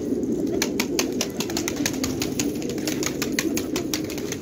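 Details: Village fighting pigeons, Khanabad, Afghanistan, giving a low droning chorus of coos beneath a busy run of wing claps and flapping taps, repeated many times a second.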